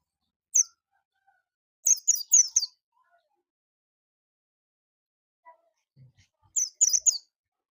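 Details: Pleci bustomi oriental white-eye giving short, very high chirping bursts, a single note, then a quick tumbling twitter, a long pause and a final fast run of bright tweets.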